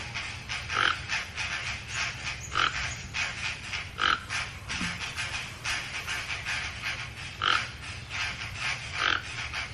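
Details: Toco toucan croaking: five gruff, grunting notes spread irregularly over several seconds against a busy background of rapid ticking and buzzing calls and a low hum.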